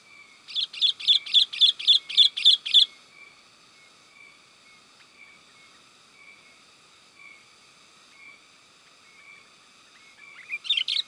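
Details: Sooty-headed bulbul lure call for attracting wild birds: a fast run of about eight bright, bubbly notes repeated evenly over three seconds, then steady faint tones, and another burst at the end.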